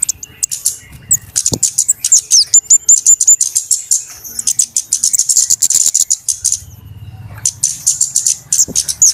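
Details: Noisy flowerpecker calls used as a trapping lure: dense streams of piercing high ticks and short thin whistles, nearly continuous with a brief lull near the end, over a soft low background hum.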